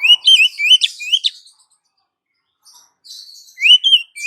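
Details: Female Oriental magpie-robin calling the male, with quick rising whistled slurs and sharp chips in a burst, then over a second of near silence before another loud run of upward whistles.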